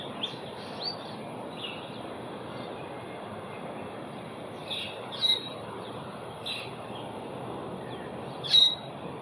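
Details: Asian glossy starling in Singapore, recorded 4 September 2021, giving sharp high squeaky call notes at irregular intervals, a few louder metallic chirps standing out above a constant low rumbling background.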